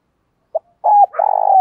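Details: Decoy spotted dove calling in the morning: a brief soft coo, then a short coo, then a longer drawn-out cooing note, clean with no other sounds.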